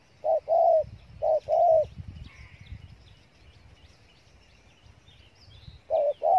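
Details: Cà Mau spotted dove, Vietnam, delivering repeated thổ tơ coo pairs, a short coo then a longer one, with a pause of several seconds between bursts; faint twittering of other birds behind.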